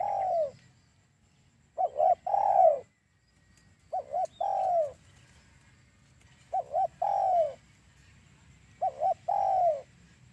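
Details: Spotted dove call played to lure doves for trapping: a stuttered double note then a long descending coo, phrases repeated at intervals of about two to three seconds.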